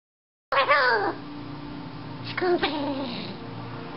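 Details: A pet male hyacinth macaw speaks on his perch: two short, raspy, speech-like phrases about two seconds apart, nasal and wavering in pitch, over faint room noise.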